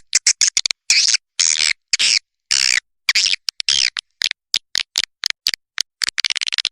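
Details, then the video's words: Indonesian swiftlet lure for farmers, the calling and roosting type in Women Flower style: broken series of high, dry clicking chirps and longer raspy buzzes, irregular, with short pauses between bursts and a quicker ticking run at the end. "SUARA PANGGIL DAN INAP BURUNG WALET"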